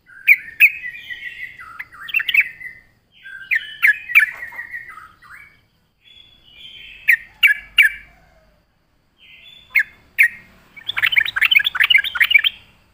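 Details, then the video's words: Yellow-vented bulbul singing energetically, recorded to attract wild bulbuls: repeated short gurgling phrases with sharp chips, ending in a dense, fast, excited chatter. "suara burung trucuk gacor RAJA PIKAT pandai memancing bunyi trucukan bahan dan ombyokan"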